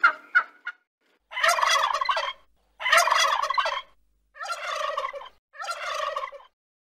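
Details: Wild turkey (Meleagris gallopavo): three quick clucks, then four loud, rapid, rattling gobbles, each about a second long, coming in close succession.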